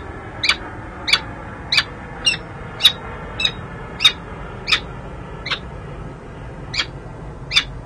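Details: Courting female peregrine falcon with her mate on the San Jose City Hall nest ledge in January, recorded by a nest camera; evenly spaced thin bright chips, about thirteen in eight seconds, over a constant low rumble.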